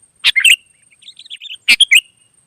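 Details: Wild sooty-headed bulbul answering: a quick chirped phrase, a soft trailing warble of several quiet notes, then the bright chirped phrase repeated.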